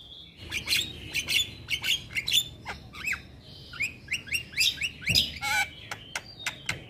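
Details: Male Javan myna with white eyes, singing to get lazy mynas calling: rapid high chirps and squawks in clusters, a drawn-out nasal note, then more quick chattering.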